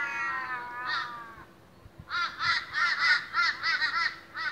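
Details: Australian ravens gathering in the morning: a long, drooping nasal wail, a short pause, then a brisk series of evenly spaced harsh caws.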